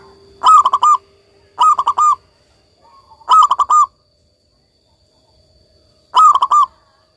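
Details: Local zebra dove repeating its cooing phrase four times, about every one and a half seconds, each a stuttering run of short beaded notes ending in a held coo.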